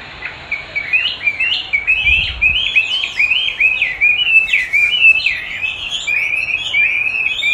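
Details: Chinese hwamei responding to its own song played back for training; a rapid run of upswept whistled notes, rich and melodious, with a soft low thump early on.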